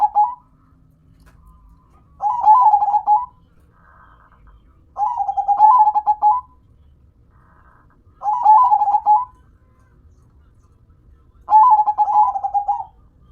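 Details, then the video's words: Four trilled coo phrases from a local perkutut (zebra dove) kept as a hobby bird, each a burst of rapid staccato notes ending in a held coo, repeating about every three seconds with faint soft notes between. "Dengar Dan Rasakan Manggungnya, Suara Serta iramanya BIKIN CANDU"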